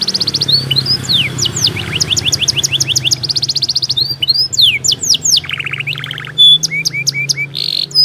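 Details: Canary singing as a remedy for birds that have stopped calling: rapid rolled chirps, twisting whistles, a lower buzzy trill and clipped high notes, over a steady low hum.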